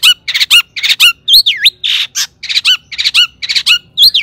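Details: Long-tailed shrike, a kept songbird, singing to provoke other shrikes into song: harsh squawking notes alternating with rising and falling whistled slurs, delivered in a fast, uneven series.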